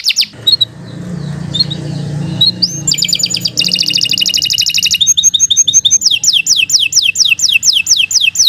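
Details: Domestic canary song meant as a tutor track for young or silent canaries: a quiet start with scattered high notes over low hum, then dense buzzy trills, sharp repeated chips and a run of quick descending whistled sweeps.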